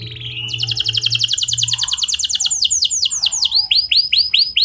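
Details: Lure song of a canary for prompting other canaries, rolling and clear: an extended fast buzzy trill leads into repeated arched swooping notes, with faint low background hum at the start.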